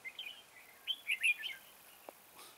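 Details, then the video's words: Red-whiskered bulbul used as a decoy, singing to lure birds into a trap; short warbled, slurred notes in quick clusters, rising and falling, with a faint low thump near the end. "Bẫy chào mào Mào boi 3 cao vút"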